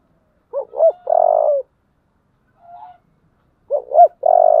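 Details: A 'giọng thổ' deep-voiced spotted dove calls fiercely to spur fighting, repeating a phrase twice: two short rising-falling notes run into a long buzzy rolled coo. A faint soft coo falls between the phrases, with no other sounds.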